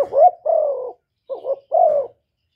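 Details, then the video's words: Cà Mau decoy spotted dove cooing to provoke wild doves: a quavering short note leading into a long, smooth, slightly falling coo, then a second wavering note and another drawn-out coo. "CU GÁY MỒI ĐẤT, CU ĐẤT GÁY, CU CƯỜM GÙ KÍCH BỔI, TIẾNG CHIM CU MỒI"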